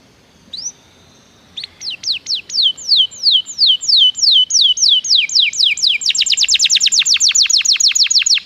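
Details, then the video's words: Canary song, played as a lure for other canaries: after a lone note, a long run of downslurred whistles about three a second, breaking into a faster, tighter trill of short notes. "PANCINGAN JITU SUARA BURUNG KENARI"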